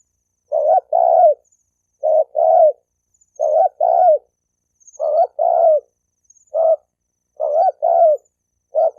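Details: Rapid run of spotted dove coos played to provoke males and females to fight, mostly paired hollow notes with a few single short coos, repeated about every second.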